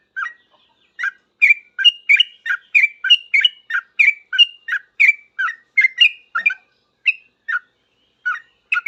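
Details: Sooty-headed bulbul singing hard in reply to other bulbuls, a noisy rapid outpouring of short bubbly whistled notes in quick pairs, tumbling up and down, slowing toward the end with gaps between phrases.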